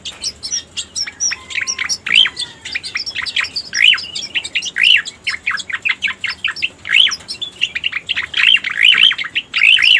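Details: Striated grassbird, locally cica koreng, heard in a lure recording meant to draw birds in: lively stream of short chirps broken by brief pauses, with loud rising notes repeated through the second half.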